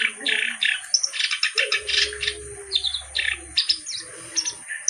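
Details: Black-browed reed warbler (kerak basi) singing actively: bursts of harsh, buzzy chatter alternate with sharp clipped notes, alongside a sustained lower whistled tone midway and faint low background hum.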